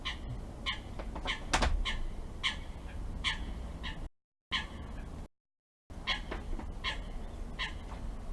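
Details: Wild garden birds at feeders, streamed live from northern Spain's Urdaibai area, giving short harsh chirps repeated several times a second in irregular bursts, over a steady low rumble of background noise.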